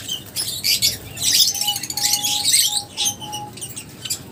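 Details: Lovebirds trade quick, squeaky high chirps and twittering notes in uneven bursts, with a faint thin tone sounding intermittently in the middle.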